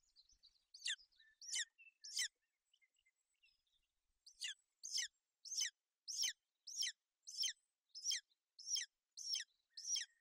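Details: Golden eagles at a nest in Bucovina on 28 May 2021, a female sheltering her chick from inclement weather: a series of thin, high, downward-slurred chirps, two quick ones, a pause, then about ten evenly spaced notes roughly every 0.6 seconds.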